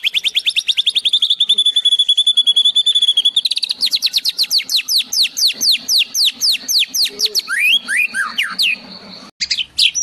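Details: White-rumped shama singing, its song filled with imitations of sparrows and shrikes: a rapid run of high trills, then a long series of quick rising and falling whistled notes, ending in sharp scratchy downslurred phrases.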